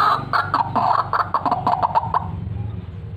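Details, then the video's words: White-breasted waterhen, a lively calling 'fighter' bird used as a lure, giving a run of loud, rough croaking notes repeated about every fifth of a second, then falling quiet toward the end. "RUAK RUAK FIGHTER GACOR SIAP BUAT PIKAT"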